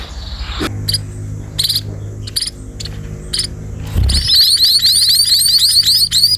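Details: Sparrows being fed. A few isolated high chirps give way, after about four seconds, to a dense, overlapping run of rising squeaky calls.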